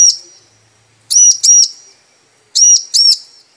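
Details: Bar-winged prinia, a female calling the male as a lure so he sings: two crisp high double-chirps a second and a half apart, each a pair of quick arched notes, in otherwise quiet surroundings.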